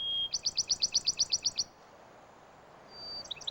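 Bachman's sparrow song: a clear, high, steady whistle followed by a quick, even trill of about eleven sweet notes, then another whistle and trill beginning.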